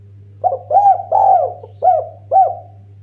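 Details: Eurasian collared dove (derkuku) song, used as a lure for other birds. Five soft, hollow coos within about two seconds, the middle two longer and drawn out, over a steady low hum.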